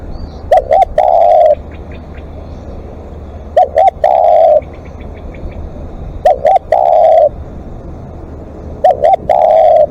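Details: Spotted dove giving long calls: each phrase is two short hoarse coos followed by a longer drawn-out coo, repeated about every two and a half seconds over a steady background hum.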